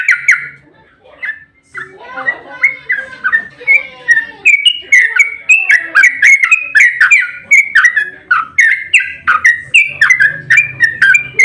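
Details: Long 'ropel' fighting song of a sooty-headed bulbul, meant to make other bulbuls answer. Quieter scattered notes at first, then a steady, fast string of bright, slurred whistles that rise and fall for the remaining nine seconds.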